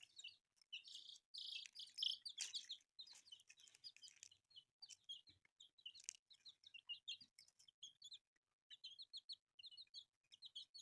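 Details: Several newly born colourful chicks give rapid, high, slightly downslurred peeps. They overlap in a dense chorus that thins into spaced runs of chirps, with occasional sharp clicking and rustling.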